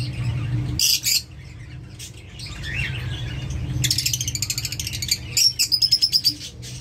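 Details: Lutino lovebird chattering: rapid high chirps and squeaky twitters in dense bursts, then a fast run of evenly repeated sharp notes near the end, over a steady low background hum.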